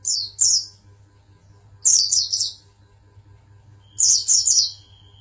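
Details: Oriental white-eye, a champion singer from Pangandaran, producing three clusters of shrill, rapid, descending twitters spaced about two seconds apart, with a steady low hum in the background.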